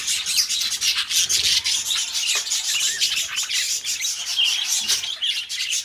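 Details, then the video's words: Budgerigars warbling for budgie companionship: a steady, scratchy, high chatter of rasps, clicks and squeaky chirps running without pause, fairly loud throughout. "Parrots singing beautiful birds voice beautiful budgies birds sounds"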